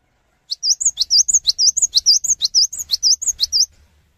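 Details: Cinereous tit, an eager singer that encourages other tits to join in, delivers about three seconds of steady high phrases: sharp upward strokes alternating with dipping V-shaped whistles, roughly eighteen notes in a quick rhythm.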